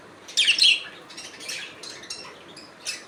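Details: Budgerigar giving one loud, scratchy chirp followed by softer chattering notes that fade away.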